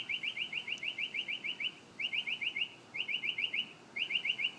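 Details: Morning bird delivering fast buzzy trills, bursts of rapid identical notes separated by short pauses, five to ten notes per burst, against a quiet background.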